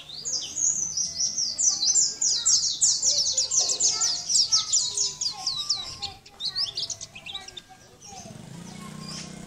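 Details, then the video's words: [5, 'likely', 'song', 'Sunda white-eye song, offered as a model for training other birds: a fast, sustained stream of high, sweet twittering notes that thins after about six seconds, over a low background hum.'] "Masteran pleci gacor"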